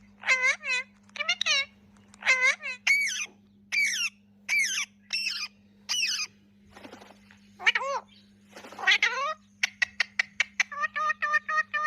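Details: Ringneck parrots, green, blue and kiwi color varieties, making natural talking sounds: loud harmonic squawks and chattering phrases in quick bursts, some falling in pitch, ending in a run of sharp clicks and rapid repeated notes over a steady low electrical hum.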